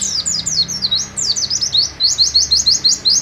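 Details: An Oriental white-eye sings a long, continuous rapid song used as training or lure audio for other white-eyes: high, thin twittering, about three bright chirping notes each second, over a faint low hum.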